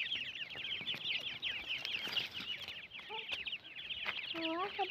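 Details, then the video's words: A dense chorus of francolin (teetar) chicks makes high, rapid, overlapping peeps without pause. A few lower, voice-like notes come in near the end. "teetar ky bachyll frincolin ke chicks ll arini teatar ke call"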